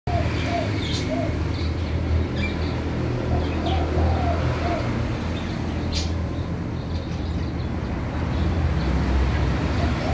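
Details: Captive spotted dove of a white clear-pied colour form with normal eye colour and a clean white tail, one of a bred pair. Soft, low cooing phrases come in short groups over a strong, steady low hum, with a few faint clicks.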